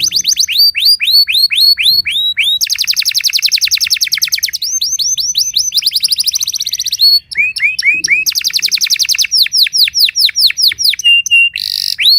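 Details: Long continuous song from a Timbrado canary training at dawn, alternating rapid rolling trills with runs of arched whistled notes, tours changing every second or two.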